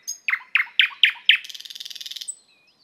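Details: Thrush nightingale (Luscinia luscinia) delivering five loud, harsh, evenly spaced notes that break into a fast, buzzing rattle, ending with a thin, high whistle.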